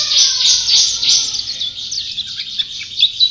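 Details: White-eye described as a champion singer opens with a dense, loud burst of high buzzy trilling, then breaks into quicker separate chirps and thin descending notes.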